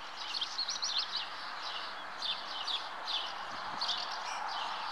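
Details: Nesting common house martins (Delichon urbicum) produce a series of quick, buzzy, slurred chirps grouped into bursts roughly every second, over a broad hiss of ambient noise.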